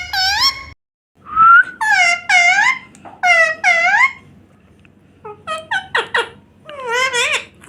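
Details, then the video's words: Talking Indian ringneck parrot kept as a pet, eating a red tomato in a small room, gives loud harsh nasal squawks in paired phrases, a brief rising squeal, then rapid choppy syllables and a final drawn-out wavering call. "Non -Stop Talking Parrot"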